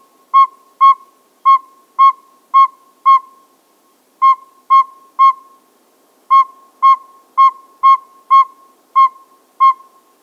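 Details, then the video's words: Male Northern pygmy owl, subspecies gnoma, giving its toot song: clear, hollow whistled toots on one pitch, spaced about half a second apart in runs of three to six with short pauses between runs, over silent background. "Pygmy Owl, Northern Male toot song"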